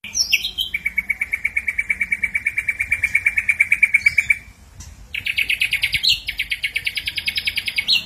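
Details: Ashy drongo singing, a long run of rapid buzzy pulses held near one pitch, then a short pause and a higher, harsher pulsed trill, about three notes a second throughout.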